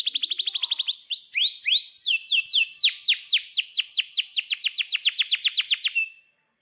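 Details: Atlantic canary song with long rolls, used as a model for young canaries learning to sing. A fast trill opens, then up-slurred notes, then a long, steady series of descending sweeps before the song stops.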